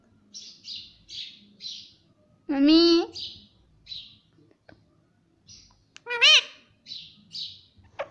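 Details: Talking parrot, said to say mummy and papa, giving two loud, harmonic, wavering utterances amid short, repeated high chirps and faint clicks.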